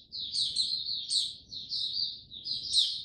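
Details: Mata Puteh (white-eye) male warming up slowly before opening into song, 06-03-2022: high twittering strings of notes, each burst topped by a piercing squeak, rising and falling in loudness about twice a second.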